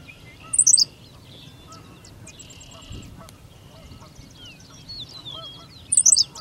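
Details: A Henslow's sparrow sings in Goose Lake Prairie, giving two brief, sharp, high hiccupping phrases about five seconds apart, with quiet chirps and trills of other birds between them.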